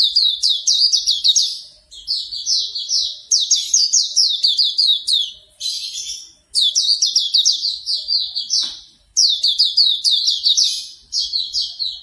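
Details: Hume's white-eye song, a morning therapy track to get a bird to open its beak and sing: bright, high twittering phrases of quick downslurred chirps, bursts of one to two seconds separated by brief pauses, steady through twelve seconds.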